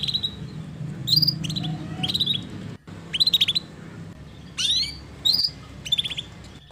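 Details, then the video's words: Canary in lively song, used to stimulate lazy canaries to sing: bursts of sharp high chirps and quick stuttering notes, a steep rising-falling whistle near the middle, the phrases separated by brief gaps over a low room hum. "Pancingan Suara Burung Kenari Gacor || Cocok Untuk Terapi Kenari Malas Bunyi"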